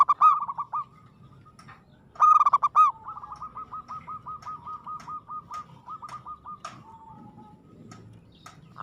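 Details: Aggressive zebra dove (perkutut): two loud rippling coo bursts, then a long even series of soft, rapid repeated coo notes lasting several seconds.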